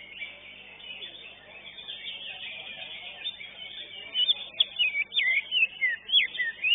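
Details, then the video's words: Greater green leafbird, the first-place winner of a bird singing contest, gives bright whistled phrases of rapid, varied, slurred notes in the final seconds, over a steady hiss and murmur of crowd noise. "JUARA 1 CUCAK IJO"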